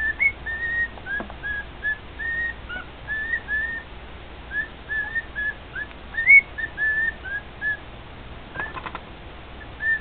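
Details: A pet male cockatiel singing to a pair of fellow cockatiels produces a steady stream of short, mostly level whistles with occasional upward slides and a few clicking sounds near the end.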